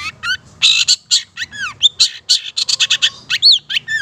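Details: Long-tailed Shrike from Madura singing energetically, a recording used to train and prompt caged birds: rapid varied chatter of harsh bursts, upward and downward whistled sweeps and a rising-falling slur, with dense overlapping notes.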